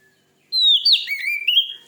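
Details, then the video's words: Single loud phrase from an oriental magpie-robin: a high clear whistle that slides down, then a twisted note and a lower warbled whistle ending on a held, slightly rising tone. "Suara burung kacer terganas.sangat ampuh cepat bikin emosi Kacer anda.!"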